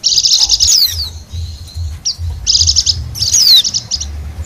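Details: Lure recording of a wild Bali white-eye: dense, high twittering bursts with quick down-sweeping whistle notes, one long thin whistle between phrases, and soft low rumbling underneath.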